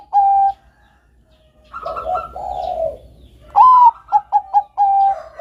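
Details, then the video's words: Zebra dove, Bangkok type, in full song, a melodious master recording for training doves: a steady coo, softer cooing, then a rising note, four quick staccato coos and a long held final coo. "BUNYI SUARA BURUNG PERKUTUT BANGKOK GACOR SUARA MERDU COCOK UNTUK PANCINGAN TERAPI MASTERAN KUTUT"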